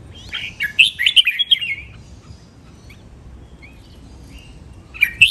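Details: Red-whiskered bulbul singing a training song, styles named len rik, nap dok, mae bot and lak wai. A lively chattering, whistled phrase lasting about two seconds, a quiet pause with a soft note, then a new phrase begins.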